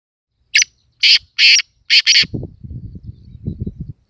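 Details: Black francolin, known locally as kala teeter, calling: five loud, harsh, buzzy notes in a quick, uneven stuttering series over about two seconds, then low murmuring voices and handling noise.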